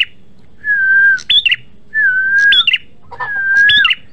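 A prinia repeats a phrase about every 1.4 seconds: a long, level whistle, then a sudden jump to a higher note and a quick buzzy flourish.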